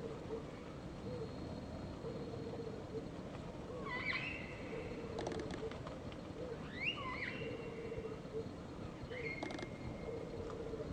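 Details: Meyer's parrots at a morning mud lick shortly after sunrise, gathering to eat mud, give scattered shrill squawking whistles, some sweeping sharply upward, over a steady background hum with occasional clicks.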